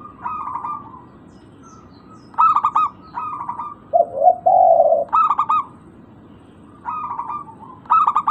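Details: Local zebra dove lure for reviving birds' calling: stuttering pulsed coo bursts recur every second or so, broken by a lower, longer double coo phrase midway.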